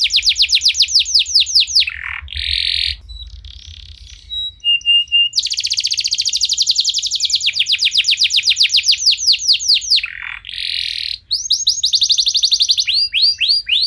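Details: Canary song as a prompt for other canaries: extended sequence of rapid trills, buzzy bursts, short pure tones and rolling runs of repeated falling whistles, with faint low hum at the start.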